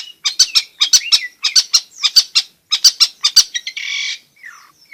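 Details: Long-tailed shrike singing constantly, used to entice quiet shrikes to sing and to train young birds. Clusters of harsh, squawky notes arrive in uneven groups, followed by a drawn-out scratchy rasp.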